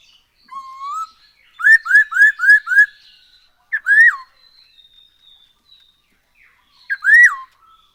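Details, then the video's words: Black-throated laughingthrush song used as a lure to get birds singing: a rising whistle, then a run of five loud upslurred whistled notes, later more rich slurred phrases between quiet pauses. "Poksay HONGKONG GACOR SETIAP HARI ‼️Dengan Pancingan ini Bikin Burung Tambah gacor"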